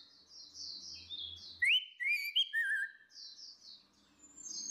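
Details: Orange-headed thrush, female against male in ngeplong style, as a lure to restart a silent bird: soft high warbles, then a few loud clear whistled notes sliding down, before quieter twitters resume. A faint low hum sits underneath.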